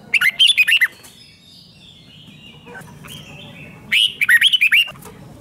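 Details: Red-whiskered bulbul song, played to caged birds to make them lively: two crisp phrases of five or six bouncing whistled notes, about three seconds apart. Faint bird chirps fill the pause between them.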